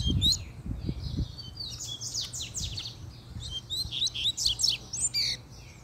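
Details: Double-collared seedeater male in fiery form delivering a puxada song: dense run of sharp, high, downward-sweeping chirps and twittered notes, with a few low thumps at the start and a faint steady hum.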